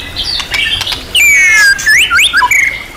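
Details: White-rumped shama singing master training material rich in imitated phrases (isian), described as champion class: soft chatter, then a long clear downslurred whistle followed by quick rising whistled flicks.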